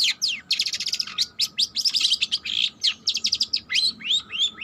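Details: Young long-tailed shrike still learning its song delivers a rapid jumble of harsh scratchy notes, buzzes and short upward-slurred whistles in quick succession, a thin steady hum underneath.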